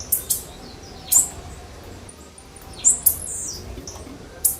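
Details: Rapid high, buzzy chips and short sweeping notes from a blue-black grassquit, tagged as a warm-up with female calls. They come irregularly over a soft, steady background hiss.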